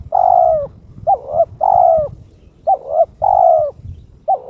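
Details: Loud, close coos from a kept spotted dove (terkukur) in breeding condition inviting a rival: rapid back-to-back phrases of a long falling coo alternating with paired short rising notes, about once a second.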